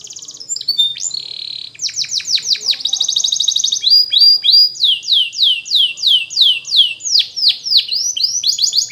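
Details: Training song from a Belgian canary for young canaries: brief rattling rolls, then a long series of clear downward-sweeping whistles repeated about twice each second.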